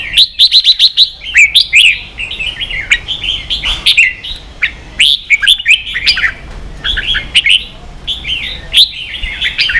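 Red-whiskered bulbul singing bright, bubbly whistled phrases in quick bursts, each rising and falling, repeated every second or so with brief pauses between.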